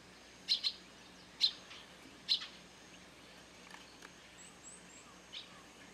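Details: Eurasian tree sparrows gathered in a flock at a garden feeder set on a grape trellis, rural Japan. Several loud, sharp chirps come singly and in pairs about a second apart, then fainter chirping over a quiet background hum.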